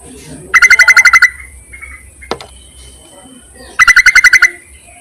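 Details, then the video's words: Yellow-vented bulbul calling males, useful as a lure and to prompt silent caged birds. Two loud, even bursts of about seven rapid, metallic chattering notes, about three seconds apart, with a single click between. "BURUNG TERUCUKAN MEMANGGIL JANTAN COCOK JUGA UNTUK PIKATAN"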